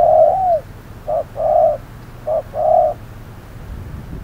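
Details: Spotted dove used as a trapping decoy on a hot noon. A falling long coo, then two short-long coo pairs, followed by quiet.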